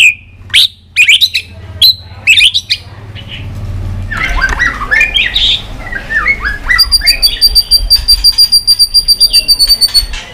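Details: Fighting song of a white-rumped shama, tail flicking: clipped high whistles and snapping clicks, then a jumbled warbled passage, ending with a fast, evenly repeated metallic ringing note, about three per second.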